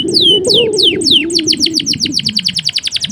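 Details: Male canary in full song, used as a master recording for training other canaries to sing. Several clear whistled notes sweep downward, then speed into a rapid, even trill of repeated short notes, with a steady low hum underneath.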